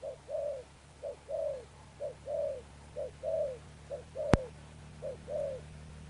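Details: Wild-caught spotted dove cooing with a Sấm Thổ tone in Thúc Đồng Pha Sấm style: regular short-then-long soft coo pairs each second, a single sharp click midway, faint low hum underneath.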